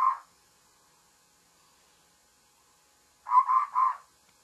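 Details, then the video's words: Morning call of a babbler: one rasping note, a pause of about three seconds, then a rapid run of three harsh, grating notes. "Babbler's morning call"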